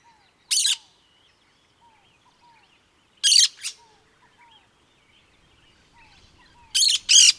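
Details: Cactus parakeet giving harsh, buzzy screeching calls in three bursts, the last a double, separated by quiet gaps; soft low whistled notes repeat faintly in the background.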